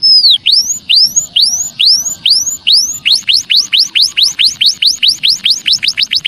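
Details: Javan munia lure call: a few spaced, arching high chirps give way to a faster, steady series of sharp rising chirps, clean and loud with only faint low hiss behind.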